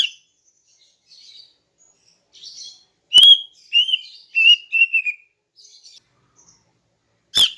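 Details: Female greater green leafbird singing in the morning, a call used to lure males: scattered soft high notes, then a run of five clear whistled notes that slur downward, with sharp clicks before and after.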